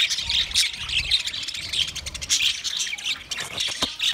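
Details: Twenty pairs of budgerigars chirping together: a dense, continuous chatter of high, scratchy chirps and squawks that overlap without pause, with soft low rumbles underneath.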